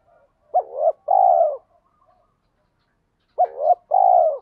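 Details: Spotted dove lure call, two clean phrases each of a short double coo followed by a longer falling coo, separated by about two seconds of silence.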